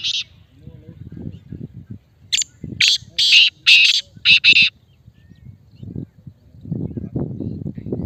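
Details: Male black francolin (kala teetar) recorded in Islamabad, a strong call for training silent caged francolins: one short note, then a grating, rhythmic phrase of about six buzzy notes, followed by low background murmur.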